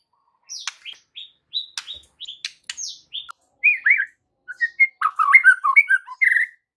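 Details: White-rumped shama song played as an afternoon lure for young birds: sharp high whistled notes and clicks that turn into a dense, varied jumble of warbled phrases.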